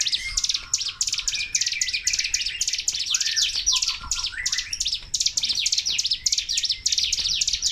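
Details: Sunda warbler, called cigun or ciblek gunung, singing a nonstop 'tembakan' burst song. Dense, rapid run of high, thin chirps and trills without pause, with a few lower slurred whistles underneath.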